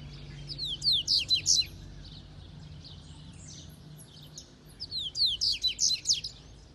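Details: A Double-collared Seedeater at Itaguaçu, Espírito Santo, Brazil, sings two bright bursts of quick, high slurred notes, each about a second long and about four seconds apart, over a faint low hum.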